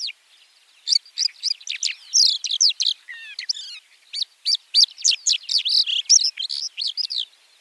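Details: Song of a white-winged lark (Alauda leucoptera): a busy, continuous jumble of sharp chirps, slurred whistles and twittering notes delivered in rapid succession over a quiet background.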